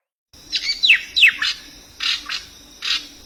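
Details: A bird gives sharp, high chirps that slide steeply downward, in quick bursts of two or three, with a faint steady hum underneath.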